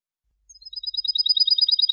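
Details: European goldfinch, a linked song in the two-change style, cantada enlazada, given as a clean song: a fast, tight trill of high twittering notes that starts after a short gap and speeds into a dense run.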